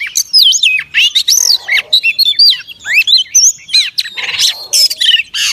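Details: Oriental magpie-robin hen whistling to excite males: a varied run of bright slurred whistles, some looping notes and brief harsh rasps, continuous and energetic, recorded at close range.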